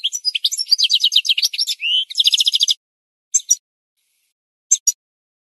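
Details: Goldfinch in a bird-training recording sings a dense run of rapid, evenly repeated chirps, a rising buzzy note and a fast trill, followed by two short isolated double chirps after pauses.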